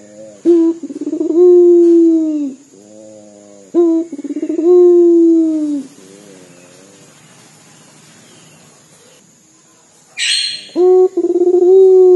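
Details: Puter dove of a local strain giving its crying call: several low harmonic coos with short breaks and a long drawn-out falling note. A brief hissing burst interrupts near the end before the cooing resumes.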